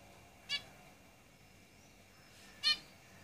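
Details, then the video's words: Zebra finches kept in a cage give two separate short, nasal, buzzy beeps about two seconds apart against faint steady background hiss. "Zebra Finches Singing in the cage"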